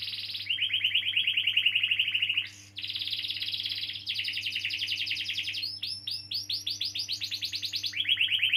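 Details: Canary in extended rolling song, a lure for young or silent canaries: a steady low trill, a brief pause, high rapid rolls, then a burst of upward sweeps and a return to a lower roll; faint hum.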